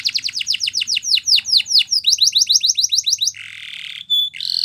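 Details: Morning singing by a yellow canary: a string of falling whistled notes, then faster short upswept chirps, a harsh buzzy stretch and a clear pure whistle near the end.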